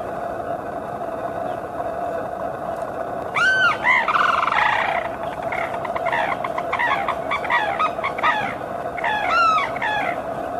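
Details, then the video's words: On a foggy morning, a pair of Sarus cranes trumpet in loud, rich, bugling notes, first a burst and then a string of repeated calls, over a steady low hum. "A pair of Sarus Cranes calling out"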